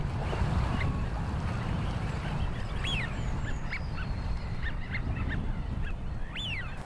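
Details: Northern Lapwings, wintering flocks on the Thames foreshore at Dartford and Crayford Marshes, give several slurred, upswept wheezy calls spaced a second or two apart over a heavy low rumble of wind and water.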